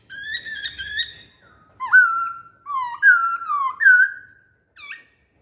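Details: A lure song from a masked laughingthrush. Buzzy, trilled harmonic notes open the phrase. Looping whistled notes follow, rising and falling, with pauses between phrases and a short final whistle. There is no background noise.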